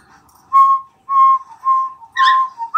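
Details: Cockatiels kept as pets, playing happily while hearing whistling; four clear, even whistled notes about half a second long, one ending in a brief shrill squawk, then a rising chirp at the end.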